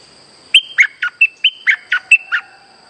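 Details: Streak-eared bulbul song played as a trapping lure: an evenly spaced string of eight bright, whistled notes, some sliding down and some dropping abruptly, about four per second, with a thin steady hum behind.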